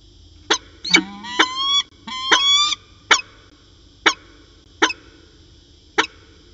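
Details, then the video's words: Afternoon exchange between a peregrine falcon pair at Orange, January 2019: a quick series of rising, whining wails early on, followed by evenly spaced single sharp chips about once a second, faint hum behind. "Peregrine Falcon Long Afternoon Discussion"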